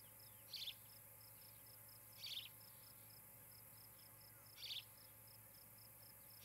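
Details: Nesting osprey pair near Charlo, Montana, on a nest cam, 17 July 2018, evening; short sharp high chirps repeated roughly every two seconds over a steady high pulsing insect chorus and low hum.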